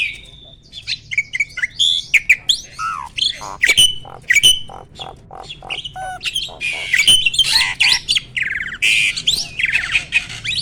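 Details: Adult male Asian pied starling at peak breeding condition, pumping display signalling readiness for mating; varied song of sliding whistles, harsh squawks and quick chirps, loud bursts separated by short pauses.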